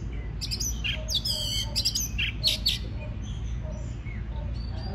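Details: White-rumped shama song played to stimulate singing: bright whistled phrases mixed with harsh buzzy and clicking notes in quick bursts, over a steady low hum.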